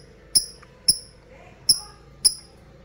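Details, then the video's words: Lovebird ngetik ticking, used as a lure to prompt other lovebirds to trill: four sharp, high, isolated ticks spaced about half a second or more apart against quiet background noise. "LOVEBIRD NGETIK SAMBUNG NGEKEK PANJANG"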